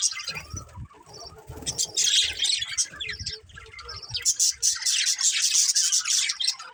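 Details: Pet budgerigars chirping in rapid, scratchy high chatter with short whistled notes, louder in two bursts, over faint low background noise.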